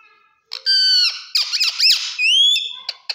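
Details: Green parrot, kept as a pet and described as talking, giving loud harsh squawks and whistled tones with rising and falling harmonic sweeps, several bursts over three seconds; no clear words heard.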